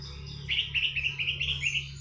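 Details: Orange-headed thrush singing in the 'teler' style: a run of short, rapidly repeated warbled notes at a steady quick pace, with a constant low hum behind.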